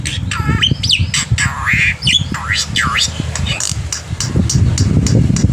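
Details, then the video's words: Black-winged myna in lively morning song, used to tutor young birds: a rapid jumble of harsh squawks, swooping whistled slurs and clicking notes following one another without pause, with constant low background hum. "jalak putih gacor pagi hari untuk masteran burung jalak muda - paud dan anakan agar cepat bunyi"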